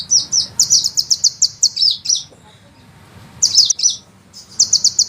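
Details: Fast, tightly packed high sunbird notes in a rolling run, about four per second, a quiet gap of over a second, then renewed bursts of piercing trilled notes, light low background hum.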